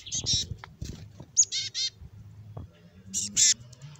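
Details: Raspy black-capped chickadee calls: harsh, buzzy notes in short clusters, two early, a pair in the middle and a loud double burst near the end, over a low background rumble.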